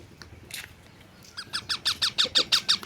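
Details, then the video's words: A talking parrot known for calling 'mummy' and 'papa' utters a run of nine rapid, bright, downward-sliding notes over about a second and a half, following a faint rustle and near silence. "parrot talking mummy papa"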